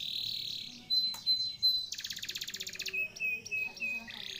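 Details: Lure song meant to make a silent canary sing again: a high warbled phrase with a thin whistle, then a fast buzzy rattling trill over a wide pitch range, followed by short repeated whistled notes.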